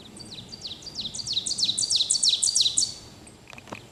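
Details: Ovenbird (Seiurus aurocapilla) singing in Pennsylvania: a loud, ringing chant of quick two-part phrases that grow louder toward the end, high and emphatic, over faint background hiss.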